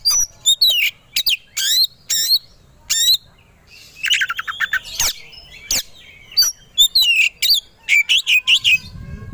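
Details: Oriental magpie-robin (kacer) song used to provoke agitated, fight-ready singing in a competition songbird: loud bursts of buzzy rattles and sharp high whistled notes in quick irregular sequence, with brief pauses between phrases.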